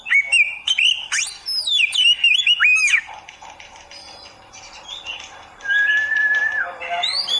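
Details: Oriental magpie-robin singing on a training recording for beginners: a rapid run of loud, varied whistles and sweeping slurred notes, then a quieter spell with a long, flat whistled tone.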